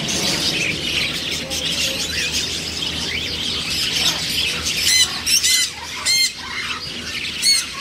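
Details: Over a constant bed of high bird chatter, macaws let out several harsh, buzzy squawks in the second half, some doubled in quick succession.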